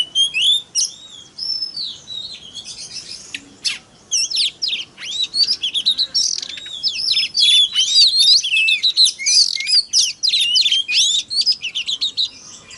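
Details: Oriental magpie-robin (kacer) lure song meant to excite other kacer: continuous, varied high-pitched whistles, trills and sharp chirps delivered in fast, irregular bursts throughout.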